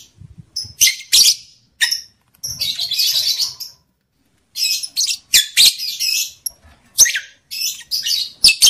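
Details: Lovebird mating-stimulus calls played to raise breeding excitement in males and readiness in females: irregular series of brief, piercing chirps and twittery bursts, with a quiet gap midway.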